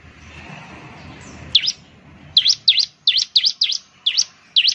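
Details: Bar-winged Prinia, called ciblek, in a lure for prompting eager singing: after a second and a half of low hiss, loud high V-shaped chirps come one by one, roughly every third of a second.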